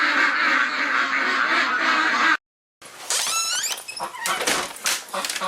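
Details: Domestic ducks on a warm, pouring-wet 9 June morning break into quick, nasal quacks after a steady hiss of heavy rain, with a person's voice mixed in.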